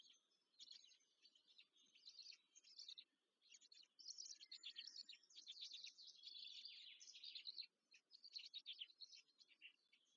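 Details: Chicks of black stork at the nest near Łódź, Poland, being fed, May 2023: quiet start building into a long, dense stretch of raspy, hissing squeals, then easing into scattered squeaks.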